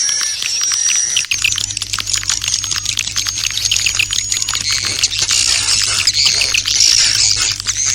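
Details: Swiftlet lure call of the 'Serangan Fajar' (dawn attack) style: a dense, continuous mass of high, thin chirps and twitters, rapid and overlapping, over a steady low electrical hum.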